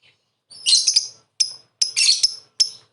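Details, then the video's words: Lovebird calling, used as a lure to make other lovebirds answer: two harsh, shrill, buzzy bursts of rapid chirping, each followed by single sharp, high chirps with brief silences between. "suara burung Lovebird memanggil di lanjut ngekek"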